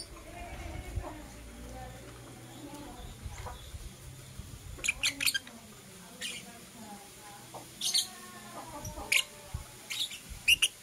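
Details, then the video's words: Blue opaline and parblue euwing opaline lovebirds in the morning giving scattered short, sharp, high chirps in bursts of two or three, separated by quiet spells, over a faint low background hum. "Lovebird Chirping Sounds"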